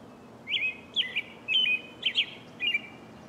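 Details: Morning song of an American robin: short, clear warbled phrases, rising and falling, about five in three seconds, over a soft background hiss.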